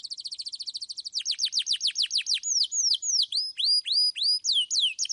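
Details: Prolific 'gacor' canary with clear voice, used to encourage young canaries to sing: a quick regular trill, then louder downward-sweeping notes and looping whistles repeated about twice a second.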